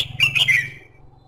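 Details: A red-whiskered bulbul gives one quick chattering phrase of slurred, liquid notes that fall away at the end, with faint low rumbling underneath. The song is used to prompt singing.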